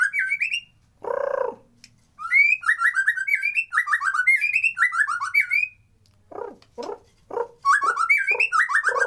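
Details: White-rumped shama song as a lure to rouse lazy birds: long bouts of loud, rich, varied whistled phrases, broken by a harsh burst and a few short rasping notes before singing resumes.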